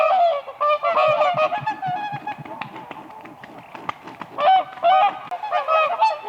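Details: Whooper swans on spring lake ice, dancing together: a dense chorus of bugling, nasal honks from several birds, a quieter stretch in the middle, then louder trumpeting again near the end.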